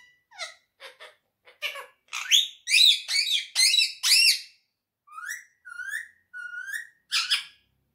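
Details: A talkative, friendly pet quaker parrot speaking: short harmonic syllables, then a run of loud, raspy, word-like bursts, ending with several brief rising whistled notes in a quiet room.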